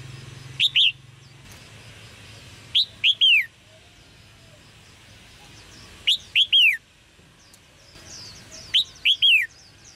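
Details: Red-whiskered bulbul chirping calls used to stimulate male singing: bright three-note whistled phrases, two short rising notes then a longer arched, falling note, repeated about every three seconds over a quiet background.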